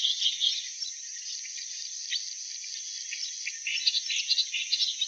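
Clamorous reed warbler giving harsh, grating chattering notes in uneven bursts, strongest at the start and near the end, over a steady high insect hiss.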